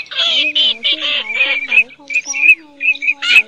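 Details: Tern: a lure recording for night net-trapping of migrating birds, August 2023, with harsh, rasping tern-like calls in a fast run, about three a second, and some thinner, higher notes toward the end.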